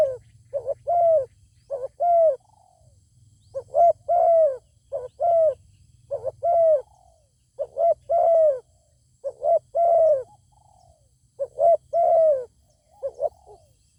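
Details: A zebra dove keeps up its song toward a fine-voiced wild bird that will not come down to fight. About ten clipped-then-drawn-out cooing phrases come in quick succession over fourteen seconds, with a constant low hum behind.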